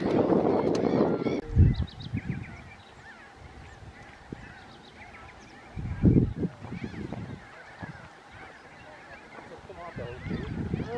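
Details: Glossy ibis giving scattered deep grunts in separate bouts with quieter gaps, faint chirps of other birds audible between them.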